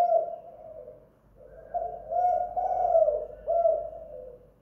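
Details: Spotted dove at home, a lure call in the style called kuk gantung: soft low coos, a short note then longer rolling phrases with a brief gap after the first, on a quiet background.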